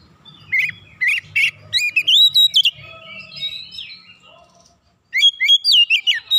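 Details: Oriental magpie-robin in full song, meant to heat up other magpie-robins and reveal its varied repertoire. Several short rising whistles build into a fast ringing trill, then a brief silence before another bright phrase begins.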